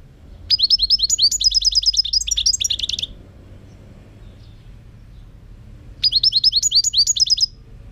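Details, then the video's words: European goldfinch song: two bursts of rapid, high, tinkling twitter, each about two to three seconds of fast repeated metallic notes, separated by a short silence. "chant chardonneret"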